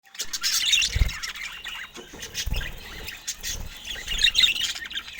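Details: Budgerigars, described as happily chirping, give dense buzzy high chatter in bursts, with dull low thumps near the first and third seconds and again later.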